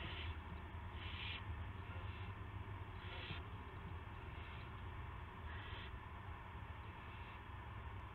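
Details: Owl at a live cam on March 18, 2016, 8:00 PM, with a gopher being delivered to another owl; a series of five short breathy hisses spaced irregularly, above a continuous low hum.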